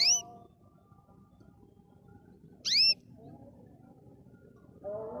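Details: A canary singing happily gives two short, bright whistled sweeps about two and a half seconds apart, each falling then rising, over a steady low indoor hum.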